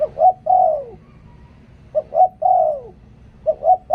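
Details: Song of a spotted dove used as a decoy: paired short coos, then a sustained coo descending in pitch, repeated about every one and a half seconds.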